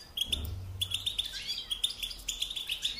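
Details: European goldfinch singing to train young birds: quick, bright twittering chirps and short trills over a low background hum.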